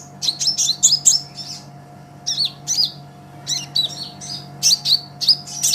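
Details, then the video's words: Brown-throated sunbird (kolibri ninja), energetic song meant for training other songbirds: quick groups of high, sharp, slurred chirps in repeated bursts with short pauses, and a constant low hum. "Suara Kolibri Ninja KONIN GACOR Untuk Masteran Kicau ! Konin Ijoan Gacor"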